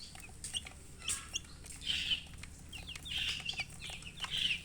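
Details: Thirsty chicks calling for drinking water: scattered high peeps and a few louder, buzzy squeals recurring about once a second, with soft background noise.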